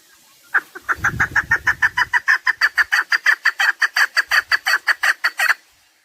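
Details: Chukar partridge calling in a recording used for partridge hunting: a fast run of harsh clucking chuck notes, about three per second, steady for five seconds before stopping, with a low rumble near the start.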